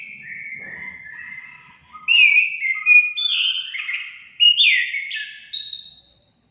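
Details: Orange-headed thrush song, played to make pet birds sing: soft whistled notes open, then loud, clear phrases that climb and drop in stepped, varied whistles, ending in a high note.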